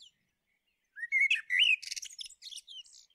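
A common blackbird gives a mellow, fluted phrase of rising whistles, then a quick, squeaky twitter of high scratchy notes. No other sounds are heard.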